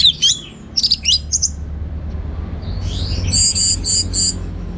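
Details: Orange-headed thrush, teler song: a few sharp high whistled notes, a quiet gap, then a series of very high, repeated piercing notes.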